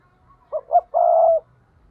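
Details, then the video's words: Spotted dove decoy bird giving the 'thúc' call used to lure wild doves for trapping: two short rolling coos followed by one longer, buzzy, steady coo, a single three-part phrase in quiet surroundings. "Chim cu gáy thúc || tiếng chim cu gáy mồi chuẩn cực hay dùng kích bổi hiệu quả nhất"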